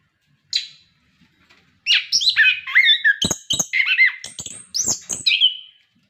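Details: Captive orange-headed thrush, recorded to encourage other caged birds to sing: a single high note, a pause, then a steady stream of slurred whistles and warbled phrases with sharp clicks.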